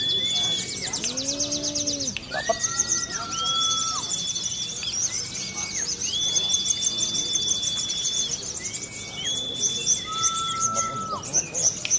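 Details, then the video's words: Kebumen-kept Sunda leafbird singing borrowed ciblek (bar-winged prinia) phrases: dense high chattering trills mixed with many long level whistles at different pitches and a few arching slurs, with other birds calling nearby. "SOGON MATERI CIBLEK"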